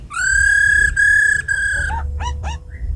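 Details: Tame black laughingthrush singing wild-style with a female's ro khẹt calls, used to excite wild-caught birds. Two long rich steady whistles followed by short clipped downslurred notes.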